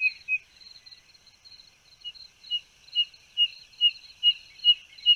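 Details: Spotted nothura from Brazil giving high, clear piping notes that quicken into an even series of about two peeps per second, with a continuous thin buzzing hum behind.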